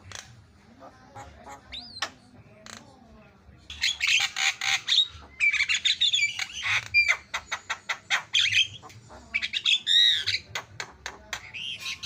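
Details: Lively Javan myna chatter: scattered clicks and a lone whistle at first, then a sudden burst of loud harsh squawks and fast ticking notes, with wavering whistles near the end.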